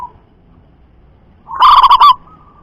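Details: Local zebra dove with a loud voice gives one strong burst of fast rolling coo notes after a near-silent pause.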